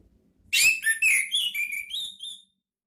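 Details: Soft, varied warble from an orange-headed thrush in a lure recording, meant to draw out ngeplong calls, sung ngeriwik style: a mix of quick slurred whistles and chirps, then several gliding notes that rise toward the end.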